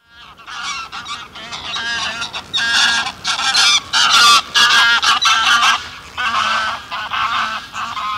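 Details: Small flock of greylag geese calling in flight at close range: loud, nasal honks in rapid, overlapping bursts, some harsh and rasping, tumbling together with short gaps over about eight seconds.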